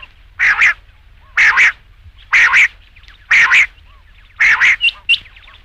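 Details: Rain quail repeating a loud, even double note, like a doubled 'which-which', almost exactly once per second for five rounds. The last pair is followed by a couple of thin, high extra notes.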